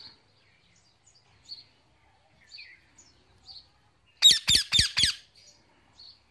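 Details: Male Indian ringneck parakeet kept as a pet, chirping to his mates in the evening: scattered soft high chirps, then a loud rapid series of four raspy screeches before quieter notes return.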